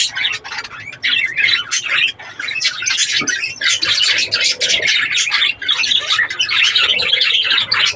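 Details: Steady warbling chatter from breeding budgerigars: scratchy chirps and buzzy squawks run on in quick succession, dipping briefly near the start and midway.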